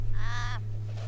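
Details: Australian raven at Farina in outback South Australia, jostling with black kites around a carcass and possibly mixed with little ravens or little crows, gives one harsh, nasal caw about half a second long that drops slightly at the end, over steady low wind rumble.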